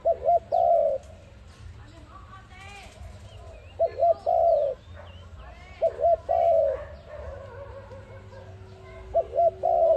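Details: ARIMIX dove calling for use as a trapping lure: a short two-note stutter then a longer falling coo, the phrase repeated about every two seconds, five times, with faint chirps from other birds and low rumble behind.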